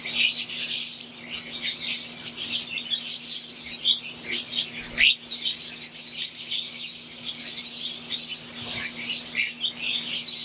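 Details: Wild-type green Fischer's lovebirds with Euwing lovebirds, an aviary flock keeping up constant shrill chirping and twittering, occasional louder sharp calls rising out of the chorus, with a soft low hum throughout.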